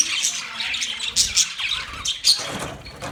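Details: Budgies chirping, recorded November 19, 2023. Busy, scratchy high chatter with bursts of short chirps and squeaks, overlapping irregularly, with soft low background noise.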